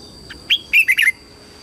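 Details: Lure red-whiskered bulbul singing to summon wild birds for fighting: a soft lead-in note, a bright whistle, then three fast, rich warbled notes ending on a lower slur, with a faint hum behind.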